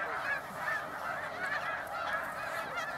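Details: Thousands of snow geese roosting at sunset on a 300-acre Pennsylvania lake, their massed nasal honking blending into one steady, unbroken din.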